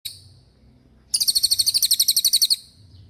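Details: Racket-tailed treepie, locally called cililin, singing in the lively roll style: after a brief high note and a pause, a rapid, even trill of very high metallic notes runs for over a second, then stops.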